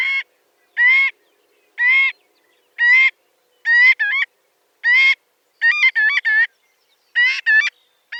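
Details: Marbled godwit calling steadily, loud nasal squawks about once a second, some doubled into two-part notes near the end; quiet background.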